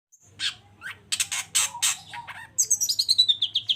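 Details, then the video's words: Long-tailed shrike in lively full song meant to stir a quiet shrike into answering: scratchy broadband bursts, then a fast run of bright, high whistled notes stepping downward near the end. "CENDET GACOR ❗RAJANYA DONGKRAK EMOSI CENDET DIAM LANGSUNG NYAUT GACOR IKUTAN BUNYI"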